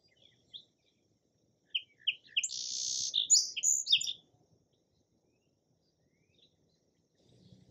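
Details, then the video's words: Song sparrow singing: a few short sharp notes followed by a dense buzzy trill, then scattered chips; quiet otherwise, with faint low rumble near the end. "Song Sparrow Calls and Songs"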